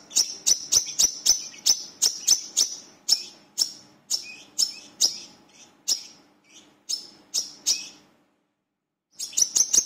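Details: Brown-throated sunbird (wiceh or manggar), lure recording to get other birds singing, calling vigorously: rapid runs of sharp, very high chirps with a thin ringing note, roughly eight per second, then a brief silence and a new burst.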